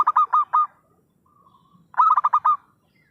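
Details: Lively zebra dove call recorded as a trapping lure, two bursts of rapid, stuttering coos with a longer final note, separated by a faint hum-like note and silence.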